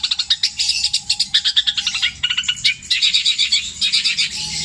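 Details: Mimicry song of a caged long-tailed shrike from Java, copying tengkek buto, kuntilanak and sparrow in long repeated phrases: rapid choppy high chatter in bursts, with a faint steady low tone underneath.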